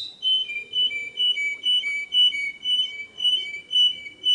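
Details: Canary delivering a clear, even series of whistled notes, swinging between a higher and a lower tone in a regular rhythm roughly twice each second.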